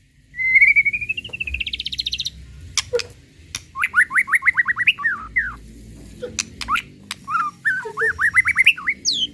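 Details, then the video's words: White-rumped shama of the murai pastol kind giving a lure song to rouse other shamas: a long rising buzzy trill, then two series of rapid repeated whistled notes, with sharp clicks between. "Suara Asli Tanpa Repeat! Pancingan Murai Pastol Emosi & Bongkar Isian"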